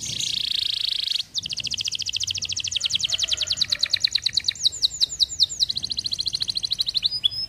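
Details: Canary song opening with a steady high buzzy note, then a long rapid trill of evenly repeated notes, a few looping whistles and a quicker trill at the end.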